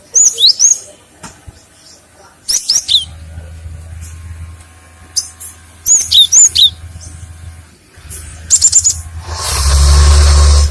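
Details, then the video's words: Cinereous tit song for use as a lure and as a master recording for other birds: repeated groups of two to four piercing, high, down-slurred whistles every few seconds, then a swelling hiss of noise at the end. "The sound of a rock sparrow for fishing and mastering/Suara gelatik batu untuk pancingan & masteran"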